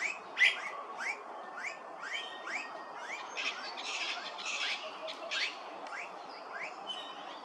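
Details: An immature Blue-faced Honeyeater at Hervey Bay, Queensland gives a quick series of short, rising chirps, roughly two a second, with a few harsher rasping bursts midway.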